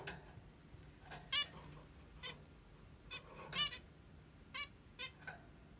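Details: Plump female zebra finch calling in the morning indoors: short nasal, buzzy beeps with stacked harmonics, given singly or in quick pairs every second or so over a low background hum.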